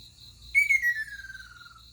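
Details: Ruddy kingfisher calling in the morning on 20 June 2022: one clear whistled note slides steadily downward and breaks into a fluttering trill as it fades, over a steady pulsing insect chirr.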